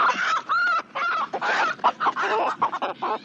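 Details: Several roosters of various breeds crowing at dawn on a countryside morning, in short, harsh, clucking phrases that overlap in quick succession, with a nasal ringing tone through the middle.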